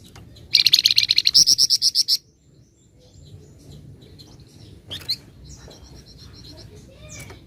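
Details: Flamboyan bird singing in nyecret style: a loud rapid series of about fifteen high, rattling notes, followed by silence with faint distant chirps and a soft high trill.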